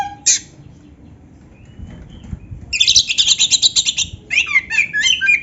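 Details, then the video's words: Kacer tutor song with canary fill: one sharp note, a quiet spell with wing flaps, then a dense high buzzy trill followed by rapid swooping chirps. "suara Kacer gacor isian komplit | Masteran Kacer ISIAN Burung Kenari"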